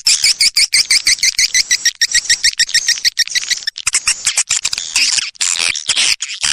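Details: Swiftlet calling sound used by swiftlet-house owners to lure swiftlets: rapid, evenly repeated high chirps about three per second, shifting after four seconds into denser, buzzy twittering chatter.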